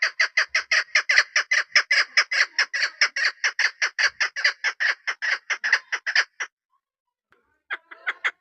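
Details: Chukar partridge hen used as a hunting decoy, uttering a quick run of raspy chuck notes for six seconds, a pause, then a few more scattered notes.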